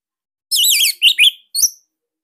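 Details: Caged Bali orange-headed thrush, a recording meant to spark other thrushes into song, gives a loud wavering trill-like whistle, then two quick rising chirps and a single high note.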